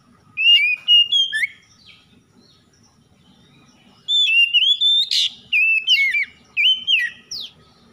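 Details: Oriental magpie-robin in a morning-dew trigger recording meant to get stressed kacer singing: loud rich whistled phrases with quick rising and falling notes, two bursts separated by a quiet pause, faint low rumble beneath.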